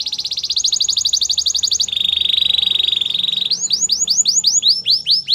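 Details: Canary singing a training song: a bright, high rolling trill, then a lower steady buzzing trill, ending in a series of swooping upward-curving whistled notes repeated about twice a second.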